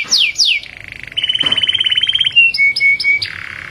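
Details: Male canary's song, used to excite other canaries to sing and to mate: two quick falling sweeps, a soft rolling trill, then a steady rapid trill, a few short clear whistled notes, and a lower sustained tone.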